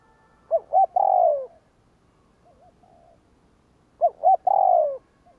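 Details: Spotted dove cooing in the 'gù kích' style used to lure and provoke wild doves: two phrases about three and a half seconds apart, each a pair of clipped notes and a long descending coo, soft coos in between.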